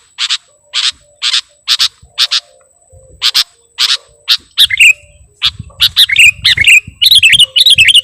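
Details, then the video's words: Lure sound of a sooty-headed bulbul for attracting birds: sharp, spaced single chirps at first, then a faster tumble of twisting, sliding chirps toward the end. "Suara Pikat Burung Kutilang Gacorr"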